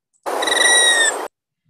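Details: An Allen's Hummingbird dive sound: a thin, slightly falling whine lasting about a second over a rushing hiss. It is made by the R3 and R4 tail feathers, not the voice, during a male's dive display.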